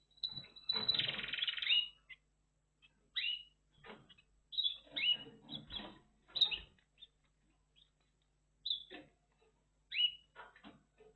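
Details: Red factor canary singing in bursts: a dense buzzy phrase at the start, then scattered short chirps and rising-falling whistled notes separated by pauses.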